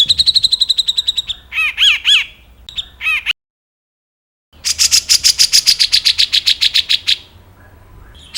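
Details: Grey-cheeked bulbul song, known as cucak jenggot or gebres, for tutoring kept songbirds. A rapid trill, looping whistled slurs, a break of silence, then a long buzzy chatter that fades out.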